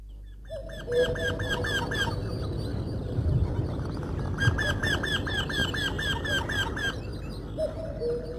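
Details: Eurasian wryneck, a woodpecker that sounds like a songbird and nests in tree holes, giving two runs of about ten nasal, ringing 'kyee' notes at a quick even pace, its monotonous call, over a low rumble and faint musical tone.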